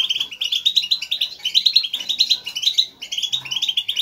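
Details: Motivational chatter of a group of European goldfinches, meant to make a lone caged goldfinch sing strongly; rapid, tinkling chirps and twitters overlapping in short excited bursts, near-continuous with one brief gap.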